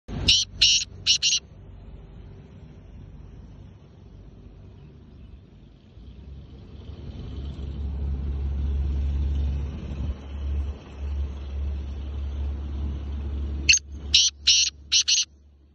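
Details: A black francolin (Francolinus francolinus) gives a harsh, grating phrase of four rasping notes, repeated after a pause.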